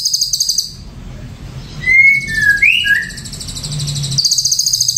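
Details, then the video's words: Ashy drongo voice: high, rapid buzzy trills at the start and end frame a quiet gap with two or three clear, slurred whistles, one sharply rising. "SRIGUNTING ABU"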